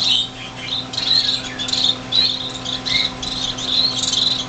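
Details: Finch fledglings, six in a greenhouse in January 2007, just out of the nest and flying a little: busy high chirps and squeaky call notes, including one lower note near the end, over a low hum.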